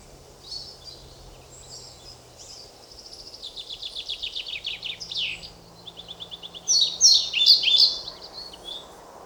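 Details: European pied flycatcher song heard among softer high chirps, then a rapid run of evenly spaced thin notes, ending with a loud, sharp burst of high piercing whistled notes near the close.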